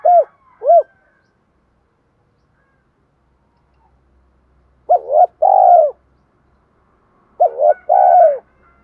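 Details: Decoy spotted dove cooing to lure wild doves, in short bursts of doubled arched coos separated by long silent gaps.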